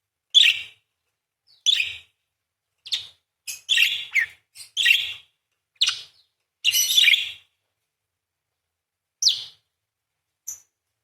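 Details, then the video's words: Single parakeet giving a loose series of short, sharp chirps and squeaky notes, spaced irregularly with gaps of a second or more between them. "PARKIT GACOR !! full materi nembak panjang beset crecet roll basic dasar murai // parakeet bird call"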